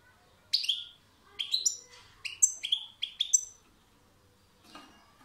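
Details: European goldfinch song: a quick burst of bright, tinkling, slightly buzzy notes closely grouped over about three seconds, then quiet apart from a soft low rustle.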